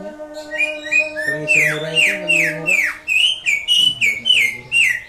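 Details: Indonesian greater green leafbird in ngatrok song: loud, clear whistles sliding sharply downward, repeated about every half second, opening with short rising notes, with a faint low tonal drone beneath.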